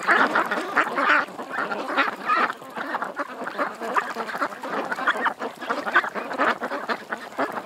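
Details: Many ducks at a creek quacking together in a dense, continuous chorus of short, harsh, overlapping calls that rise and fall in loudness.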